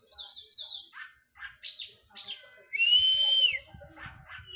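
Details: Oriental magpie-robin in post-moult physical training. Wavering looped whistles and a few clipped notes lead into a loud, sustained, rasping whistle held for nearly a second. Softer chips follow.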